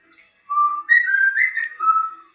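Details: Ruby, an 18-month-old female African grey parrot learning to count, gives a short run of clear, whistled, speech-like syllables, four tonal notes over about two seconds at middling pitch, in a quiet room.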